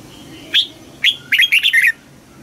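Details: Caged red-whiskered bulbul singing in contest style during voice training: a loud high whistle, a pause, another short note, then a lively burst of five fast, slurred whistled notes.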